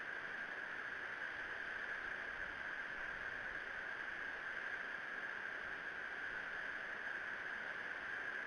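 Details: A constant electronic hiss with a faint steady tone runs throughout, and no animal call is heard.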